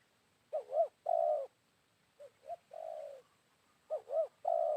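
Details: Spotted dove, wild, answering a decoy bird at midday following rain. Two full phrases of low coos, each a double hiccuping note then a long purring coo, are separated by a softer, shorter version. No other sounds intrude.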